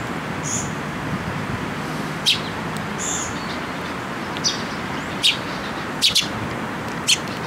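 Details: Young Eurasian tree sparrows coming to a post for food at a Tenmangu shrine, 28 May 2022; brief high chirps spaced about a second apart, some doubled, against constant background hum.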